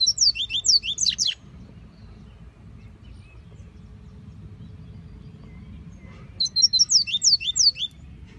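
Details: Rusty-collared seedeater (Sporophila collaris) singing in scrubland: two quick bursts of high, slurred, twittering notes, one at the start and one near the end, over a faint low rumble.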